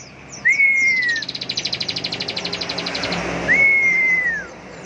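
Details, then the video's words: Ciblek, the bar-winged prinia, in ngebren song: a sustained rattling trill of rapid high pulses, bracketed by two drawn-out whistles that slide gently downward; a voice talks in Indonesian. "Ciblek gacor NGEBREN suara penuh emosi tembakan full power"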